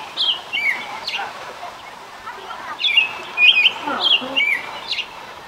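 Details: American robin singing in the morning; short whistled caroling phrases, some rising and some falling, given in clusters with brief pauses, over a faint background hiss.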